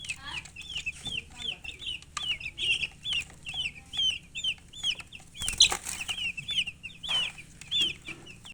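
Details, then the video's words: Chickens chirp continuously: loud, high, down-slurred peeps repeated several times a second in clustered runs, with a short burst of rustling midway. "silly chicken chirping sounds"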